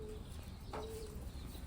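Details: Pigeons aged 11 and 8 years: a low, steady humming coo in two stretches, broken by a short broadband knock, over a constant low rumble of background noise.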